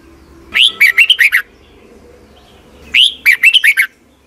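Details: Doubled song of a red-whiskered bulbul caged in Thailand, played for young birds to learn: two lively phrases, each a rising whistle then five quick warbled notes, about two and a half seconds apart, over a faint low hum.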